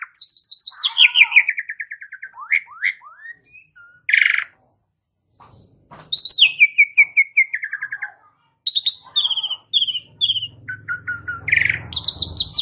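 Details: Asian pied starling song used as a lure for singing, with rapid descending runs of chirps that slow into spaced falling notes, a few loud rough calls, and a faint low hum near the end.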